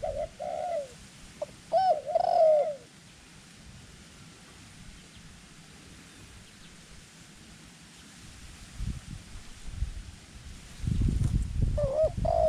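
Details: Decoy dove kept for trapping wild doves in Thailand, small-voiced with white claws; a few looping coos open the recording, then a long stretch of low rumbling handling noise before the cooing returns at the end.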